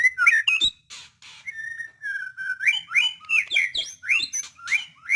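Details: White-rumped shama singing a varied run of clear whistled phrases, some sliding up and some dropping, with brief chattery notes mixed in. The phrases come in quick bursts after a short pause near the start.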